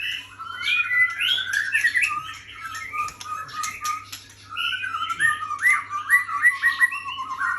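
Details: White-rumped shama song with sweet slurred whistles, rapid repeated rising notes and scattered harsh clicks, a short quieter gap midway, and a faint steady hum below.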